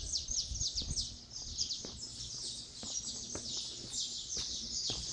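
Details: Dawn chorus of several saffron finches at Resplendor, Minas Gerais, Brazil, thin sharp chirps and quick rattling trills tumbling over one another continuously, a soft low hum underneath.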